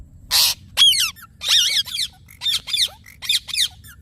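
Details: Rose-ringed parakeet giving a rapid series of grating, downward-sweeping squawks and chattering screeches, nearly continuous, after an initial noisy burst.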